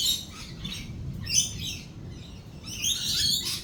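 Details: Lorikeets calling during a thunderstorm: rasping, shrill screeches in separate bursts at the start, middle and end, with quieter gaps between and a steady low rumbling background.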